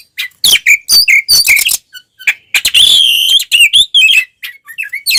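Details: Combative oriental magpie-robin, tail open, pouring out song to rouse other magpie-robins; clipped whistles and raspy notes, then a sustained loud warbling whistle midway, followed by softer scattered notes.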